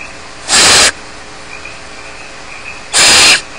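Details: Two loud, noisy screeching hisses from barn owl nestlings left alone at Starr Ranch, spaced about two and a half seconds apart, over faint background hiss.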